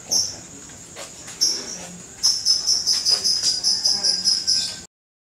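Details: Contest lovebird, whose ngekek song is said to last up to three minutes in competition, delivering a long, high, shrill chattering trill of rapidly repeated metallic notes that swell in pulses before stopping abruptly.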